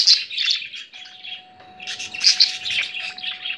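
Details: Pet budgerigar excitedly watching budgie videos on a laptop; budgerigar chatter of fast, scratchy warbles and high chirps in two busy bursts, over a faint steady electrical hum. Budgerigar.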